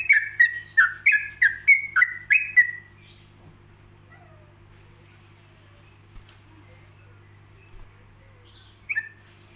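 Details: Yellow-vented bulbul song with pauses, made for other bulbuls to learn and imitate: a quick run of about seven bubbly, falling whistled notes over three seconds, then near silence and one last note near the end, over a steady low hum.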